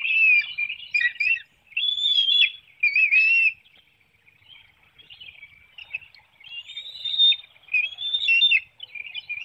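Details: Bald eagle nest in Hanover, Pennsylvania, on 9 June 2019, 7:04 a.m., during a breakfast feeding of a small fish. Shrill, whistled, wavering notes come in three bursts, then a quiet spell, then drawn-out thin squeals return.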